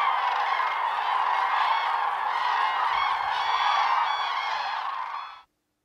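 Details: Dawn chorus of common cranes at Lake Hornborga: a dense, rolling trumpeting from a huge flock, steady and loud, then cutting off abruptly into silence near the end.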